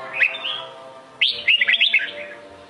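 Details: Sông Kôn red-whiskered bulbul: a brief slurred whistle, a pause, then a loud lively burst of five or six rippling, rising-and-falling sweet notes fading into soft warble.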